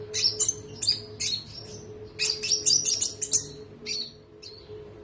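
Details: Konin (olive-backed sunbird) on a training recording for other birds. It gives rapid clusters of piercing high chirps and short trills, bunched tightly near the middle, with a constant faint hum beneath.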